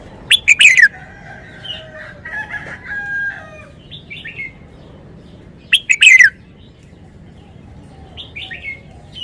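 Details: Red-whiskered bulbul singing wild-style song, two loud phrases about five seconds apart, each clipped notes into a bright falling warble, with softer whistled chatter and twittering between them.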